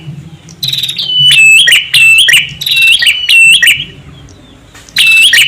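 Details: Prinia calls from a male and a female, played to lure birds: piercing, high, clipped chirps in rapid stuttering runs, two long bursts followed by a short one after a quiet gap, over a faint low background hum.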